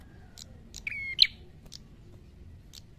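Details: Red-headed prinia in fighting mode ('gacor tarung'): one sustained, slightly buzzy tonal note ending in a bright high chip, surrounded by several brief hissy high clicks, with a low background rumble.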